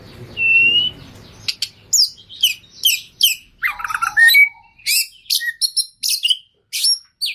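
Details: Oriental magpie-robin (kacer) in full gacor song with isian phrases: a long whistled note over faint hum, then quick sharp chirps, buzzy notes and short whistles tumbling in a varied sequence.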